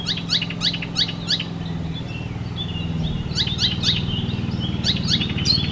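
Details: Icterine warbler, a mimic of other species' songs, repeating harsh chattering notes in rapid series, with a pause of softer sounds between runs, over a low droning hum.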